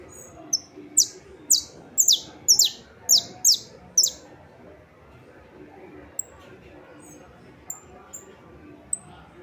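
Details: Saffron finch song recorded 28 March 2026: a quick burst of high, sharp downward notes for four seconds, then quiet with a few thin high chirps.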